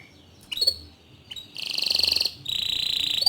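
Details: Bottle-green canary in full song, offered as a tutor recording for young and untrained canaries; after quiet chirps, two dense high trills of rapid repeated notes follow, each lasting under a second.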